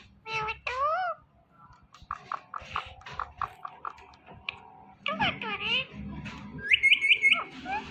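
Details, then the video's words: Ring-necked parrot talking: a wavy, speech-like harmonic phrase, then a run of short clipped syllables and a second wavering phrase, ending with high thin repeated notes; faint room noise beneath. "This Parrot Talking Is Superb"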